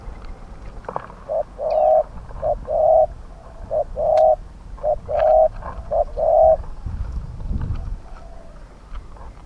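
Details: Decoy spotted dove in a pen trap, Thailand, set out to lure wild doves with middle-pitched voices; a series of short-long coo pairs in quick succession, followed by a rustling, scraping noise near the end.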